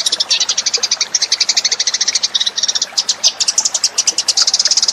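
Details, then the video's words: Lure recording of Eurasian tree sparrows: continuous rapid chirping of shrill notes, packed closely with brief uneven pauses, steady in loudness across the whole stretch. "suara pikat burung gereja"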